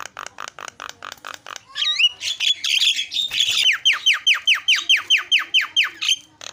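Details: Starling used as a lure to prompt other birds to call: a run of about seven rasping buzzy notes, then a whistled upslur, followed by a steady series of descending whistled slurs repeated roughly three times per second.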